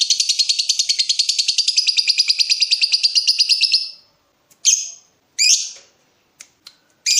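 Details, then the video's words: Lovebird in breeding mood, provoking a rival: a long rapid chattering trill of about four seconds, followed by a few short harsh screeches and clicks. "BURUNG LOVEBIRD MENCARI LAWAN || LB MANAPUN PASTI NYAUT BUNYI"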